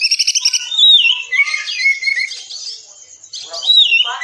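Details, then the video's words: Oriental magpie-robin training song for caged birds, a dense 'tembakan rapat' style: rapid chattering notes at the start, then bright whistled slurs rising and falling, with a burst of quick sharp notes near the end. "Masteran Kacer Tembakan Rapat"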